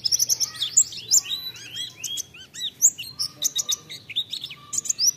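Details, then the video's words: Lively white-eye (pleci) song played to prompt singing in other birds: bright high twitters and arched, swooping notes in quick succession, some rising then falling, with a soft low hum in the background. "Pancingan Pleci Ampuh Untuk Merangsang Cepat Bukpar"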